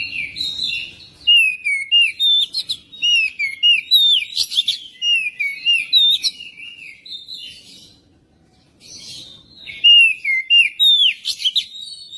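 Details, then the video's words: Magpie-robin singing, played to coax a magpie-robin into song: a long run of rich, varied whistled notes, swooping and twittering in quick succession, with a short pause before another energetic burst. "pancingan kacer biar cepat gacor dan ngobra"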